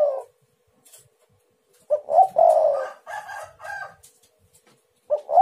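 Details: Luring call of a spotted dove meant to provoke other doves: a phrase of short rising notes and a long mellow coo, followed by softer echoing coos and the start of another phrase.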